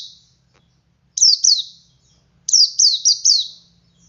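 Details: Ngalas song of a male white-eye used as a lure for other white-eyes: a pair of high, down-slurred chirps, then a run of four, all bright and sharp over faint low hum.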